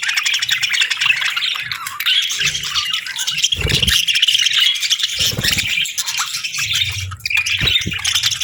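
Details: Parakeets on a peaceful morning giving a steady wash of high, hissy chatter and fine warbling, interrupted by a few low knocks or rustling sounds.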